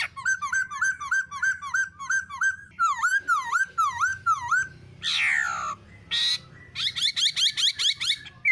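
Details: Black-throated laughingthrush female giving 'ro ro' calls together with a shrill-calling male, played to stimulate other laughingthrushes to sing: a rapid string of repeated mid-pitched notes, then swooping V-shaped whistles, two harsh rasping bursts, and quick higher repeated notes.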